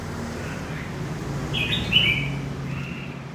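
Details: Red-whiskered bulbul, a wild-caught bird from central Vietnam, with one clear, ringing warbled phrase rising to a peak midway, followed by a softer note, set against low, constant background hum.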